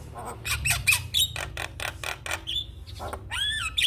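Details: Black-winged starling, described as a champion singer, in a training recording: a fast string of harsh broadband clicks and rasps, broken by brief high whistles and ending in a rising squeaky phrase, with low background hum.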